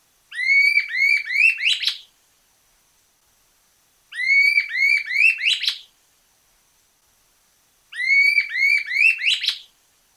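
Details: Red-billed Scythebill (picapalo colorado), one of Argentina's common birds, sings a quick run of five rising, ringing whistles ending in a brief rattle, about two seconds long and given three times roughly every four seconds.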